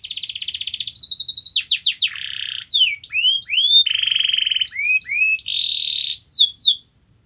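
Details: Canary song played to coax a quiet canary into singing, a busy run of rapid rattling trills, buzzy rolls and quick upswept and downslurred whistles that switch every second or so, high-pitched throughout.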